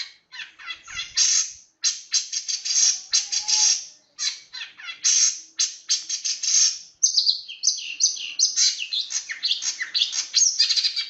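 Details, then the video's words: Long-tailed shrike (cendet) singing in the fast, tightly packed 'roll speed rapat' style: dense bursts of scratchy high chatter in quick runs, then a varied stretch of squeaky, warbled notes with brief pauses between phrases. "cendet roll speed rapat"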